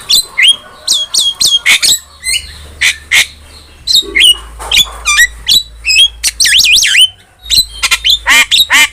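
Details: A starling in full song, used to train and provoke pet starlings: rapid bursts of harsh squawks and short chirps, with a quick wavering whistle near the end and a faint low hum throughout.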